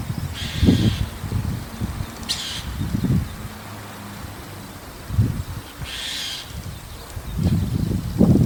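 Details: ['White-cheeked starling keeps calling from a roof at dusk; harsh, buzzy calls of about half a second, one near the start and one later, among frequent low thumps and a brief scratchy sound.']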